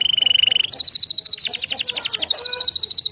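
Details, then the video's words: Canary song meant to stir a silent canary into singing: a short steady trill that jumps abruptly into a very fast, bright, high rattling trill of even pulses lasting about two and a half seconds. "Ampuh Pancing Kenari malas bunyi"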